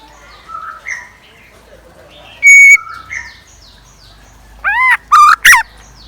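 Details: Scarlet minivet decoy bird singing in the morning, delivering a few loud whistles, one flat and several arched or looping, against softer distant whistled notes from other birds.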